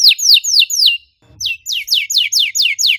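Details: Canary singing dense 'cuit cuit' chirps meant to lure a silent bird into song: loud high notes sweeping downward, a short pause with a soft low thump, then an evenly repeated run of the same falling chirps.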